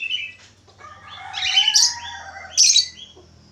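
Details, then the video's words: Budgerigar warbling actively: a rich, chattering stream of mixed whistles and buzzy notes, with two louder harsh chirps, over a low steady hum. "SUARA SIULAN BURUNG PARKIT AUSTRALI / FALK AUSTRALI GACOR"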